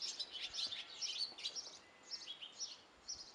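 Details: Nine great tit chicks in a bird box at a house in Belford, Northumberland, giving dense, high, thin chirps in rapid overlapping bursts, several per second, with faint background hiss.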